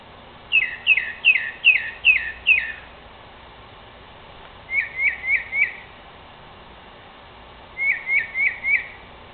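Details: Northern mockingbird calling from a tree at night, vocal all through the night: a sharp chirped phrase repeated six times quickly, then a different short note given four times in a row, twice, with gaps between.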